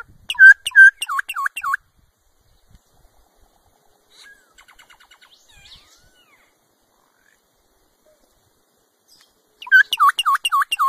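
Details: Solitary cacique giving fast bursts of repeated bright, bouncing notes at the start and end, separated by a long quiet stretch with faint distant chatter.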